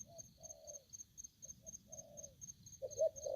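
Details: Aggressive decoy spotted dove calling: scattered low hollow coos, a few drawn out and a louder burst at the end, against faint rhythmic cricket chirping.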